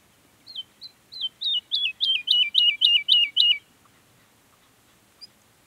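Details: Woodlark singing in Sierra Nevada, Granada province, Spain: a single clean phrase of about a dozen liquid falling notes that start spaced, speed up and grow louder, then stop abruptly against a quiet background.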